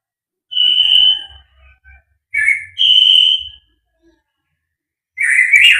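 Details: White-rumped shama, called murai batu, singing fighter style with full material: long, pure, high whistles held steady, separated by short gaps and a brief lower buzzy note, ending with a rising scratchy phrase. Faint low thumps are heard.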